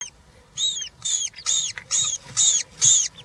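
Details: European roller chicks, three in the nest on a live nest camera, 20 June 2023, one fed a giant grasshopper; six harsh, rasping calls with bright overtones, repeated about every half second after a brief quiet start.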